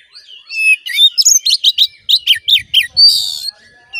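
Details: Oriental magpie-robin (kacer) singing to trigger aggression in a caged male: varied whistled notes leading into a rapid chain of loud, sharp downslurred chips, closing with a rasping buzzy note.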